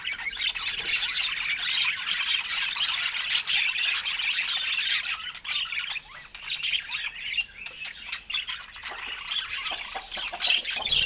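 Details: Pet budgerigars at feeding time with fresh fruit, giving a continuous busy chatter of squawks, chirps and warbling notes throughout, dense and overlapping, with no clear pauses.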